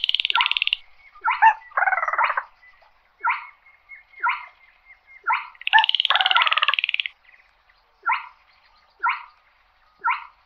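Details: Slaty-breasted rail calling the flock: short descending croaking notes repeated about once a second, broken by longer harsh, buzzy grating phrases.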